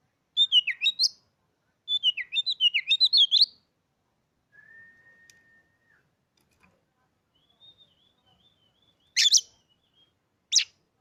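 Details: Caged Oriental magpie-robin sings two rapid descending warbled phrases of many quick notes, followed by a long steady whistle and later two sharp harsh calls.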